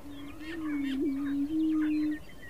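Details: Wild greater prairie chicken in Colorado, USA: a low, steady, hollow moaning hoot held for about two seconds, with a brief dip midway before it resumes at the same pitch. Faint higher chirps of other birds are scattered behind it.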